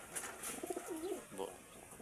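A pigeon gives a soft, low, rolling coo with a brief upward swell, over a steady hiss of background noise.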